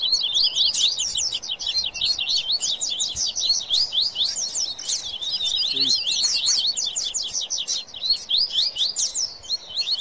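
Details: Excited Rusty-collared seedeater singing baderna style together with papa-capim, a nonstop torrent of rapid, sharply slurred high notes chattering for the whole stretch.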